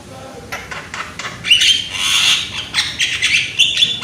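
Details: Young Javan myna, loud voiced, played to coax other birds into song: a rapid, irregular run of harsh chattering squawks with a brief whistle mixed in.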